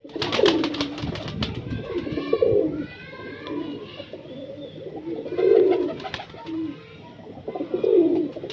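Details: Breeder pigeon cooing: low, throaty, rolling coos come in swelling phrases about every two to three seconds, with soft clicks and rustles between them.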